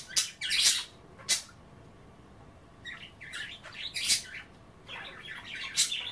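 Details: Caged pet budgerigars nibbling kale in a water bath; scattered short chatter bursts and sharp clicks with a quiet gap in the middle, then renewed warbling twitter.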